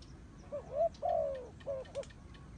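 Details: A turtle dove gives soft, low cooing notes: a short coo, a longer drawn-out falling coo, then two brief coos, in a quiet setting with faint background hiss.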